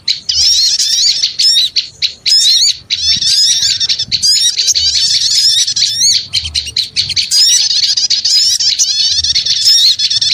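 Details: Lure recording of noisy small birds: sustained shrill twitters and fast squeaky notes from many voices, broken by a few brief pauses, then resuming just as busily.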